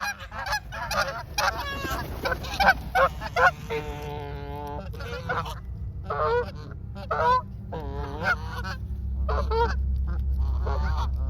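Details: Wild Canada geese in Canada, a large flock running toward a standing person with wings spread: loud, nasal honks in dense irregular bursts, overlapping voices and one drawn-out wavering call, with low rumbling background noise.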